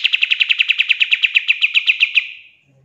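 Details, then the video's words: Pied triller, a tutor recording for training songbirds in 'tembakan' style: one fast trill of about eighteen sharp, regularly spaced notes lasting just over two seconds, then fading away. "GACORRR DORR !!!! PANCINGAN KAPAS TEMBAK FULL TEMBAKAN COCOK BUAT MASTERAN"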